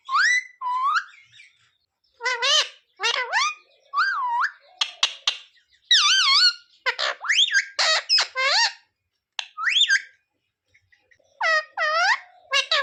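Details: Pet parrot talking, said to repeat the Hindu phrases sita-ram and jay shree ram and the words mummy papa; a quick series of nasal, wavering, speech-like phrases in short bursts with brief silent gaps, recorded in a quiet room.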